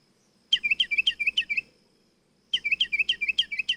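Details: Small bird played back in a listening game for children, giving two bursts of quick bright chirps, about eight notes each, high and slightly descending, separated by a short silence.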